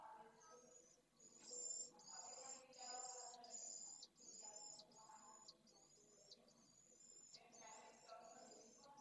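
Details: Pallid swift chicks asking for food at the nest, live camera, Jerez de la Frontera, 8 September 2022: high buzzy bursts repeated about once a second, louder early then softer, with low scratching and shuffling.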